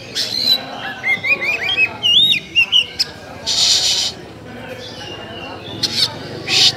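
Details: Caged Oriental magpie-robin (kacer) singing its basic LDA (Langit Di Atas Awan) style: clear whistled phrases of rising and falling notes, with loud harsh bursts and rasping notes between them.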